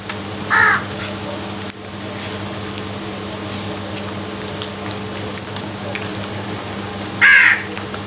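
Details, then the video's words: Two harsh crow caws, one near the start and one near the end, several seconds apart, as crows fight over food, against a low steady hum. "Crows Fight for Food | Crows attack on food | Crows Sounds"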